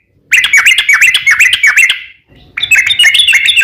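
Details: Yellow-vented bulbul in rapid rolling song, meant to trigger other bulbuls to sing: a fast series of short descending chirps, a brief break, then a higher, quicker run of notes.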